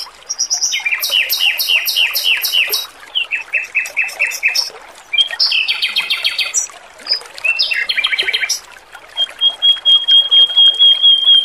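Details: Clear, melodious song from a lively male robin, meant as training material: loud buzzy rattling phrases, rapid trills and chirps, ending in a long thin high whistle, with trickling water throughout.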